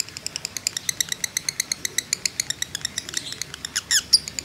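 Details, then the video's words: Fighter lovebird trill used as a baiting track, quieter here: a string of thin, high chattering pulses at a steady pace, ending in a couple of louder squawky notes. "pancingan lovebird JITU emosi ngekek panjang ngetik nyaut"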